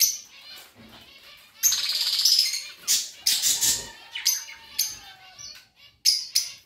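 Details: Budgies give loud bursts of scratchy, high chirps and chatter separated by short quieter gaps, with a thin sliding whistle near the middle.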